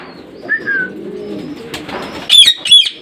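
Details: Parrot giving a soft whistled note, quiet chatter, then two loud harsh squawks in quick succession at the end.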